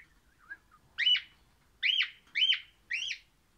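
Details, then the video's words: Orange-coloured crimson rosella (pennant) singing happily: a soft short whistle, then four loud arched whistled notes about half a second apart, each sliding up and down, in a quiet setting. "Pennant Orange happy singing Parrot"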